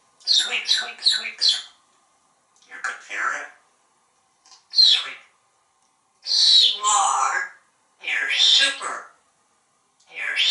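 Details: Talkative pet African grey parrot on a home screen porch in Texas, entertaining birds and squirrels: rapid chattering bursts and speech-like phrases mixed with whistled, squawky notes, separated by short pauses.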